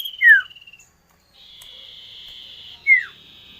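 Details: Common iora producing a falling trilled whistle and a loud descending slur. A steady high hiss then covers the background, and another falling slur cuts through it near the end.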